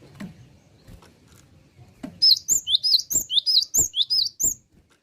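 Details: A gelatik batu (cinereous tit), a classic songbird in full gacor song, pours out about eleven quick, shrill whistled phrases, each a paired rising and falling slur, over two and a half seconds after soft taps.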